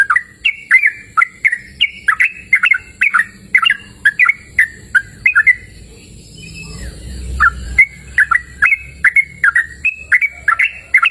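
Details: Yellow-vented bulbul singing freely in open natural surroundings, an insistent run of clear, bubbly whistled notes, slurred and rising, about two to three per second, with a short break in the middle before resuming.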